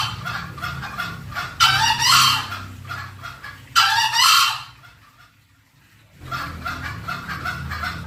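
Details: Green junglefowl lure sound to bring wild birds in: soft clucks, then two strong, hoarse, crowing bursts in close succession, a brief silence, and the clucking resumes.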